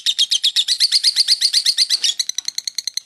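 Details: Rapid lovebird ngekek, the long continuous chatter style sung for more than two minutes, heard as a quick train of shrill, grating pulses that turns into cleaner, evenly spaced clipped notes.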